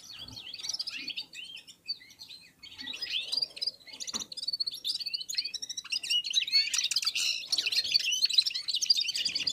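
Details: Red-fronted serins (Serinus pusillus), Central Asian finches, singing together in unison after feeding, warming up their voices among other birds; rapid high twittering of short slurred notes and trills, continuous and overlapping, building to a dense chorus near the end.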